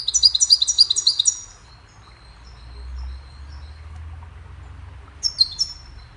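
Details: Goldfinch chirping a cheerful melody meant to teach other birds: a quick run of rhythmic, high, tinkling notes, then a quiet gap with faint low hum, then a short closing twitter.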